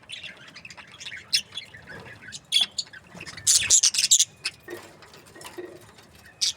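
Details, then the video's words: Happy budgerigars from breeding pairs give scattered sharp chirps, then a loud burst of fast scratchy chatter, followed by quieter irregular twitters and one last chirp. "Happy budgie chirping sounds | breeding pairs"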